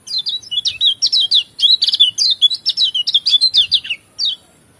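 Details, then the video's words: Lemon-bellied white-eye (pleci lombok) in full melodious song with mimicked phrases: dense, rapid chirping notes in continuous bursts nearly five seconds long, with a thin constant high tone behind. "Jos full variasi isian paling merdu"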